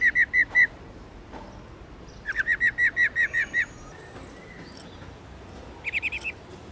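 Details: Rolling 'ro ro' call of a female black-throated laughingthrush, subspecies lugens, used to trigger singing in males. Rapid trains of short notes: four, then a longer run of about nine, then a brief five-note burst.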